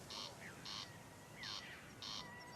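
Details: A corncrake on Tory Island, Ireland, just returned from African wintering grounds in spring, gives dry, rasping double territorial notes, crex-crex, about every second and a half, as neighbouring males call to each other. Thin whistles from other birds sound behind it.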